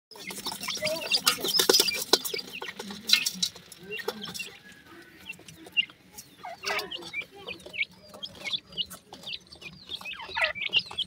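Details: Baby pheasants happy with new food, feeding; after a burst of rustling and handling noise, high thin chick peeps rise and fall in quick, uneven series, with a low steady hum underneath.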